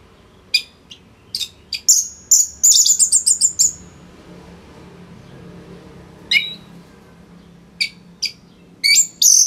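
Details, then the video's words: Orange-headed thrush, a master-training bird, giving a loud crisp song: bursts of high whistled and chattering notes in a rapid run, then silence and scattered sharp chirps near the end. "ANIS MERAH Gacor Suara Rapet Bagus Untuk Memaster Burung Punglor"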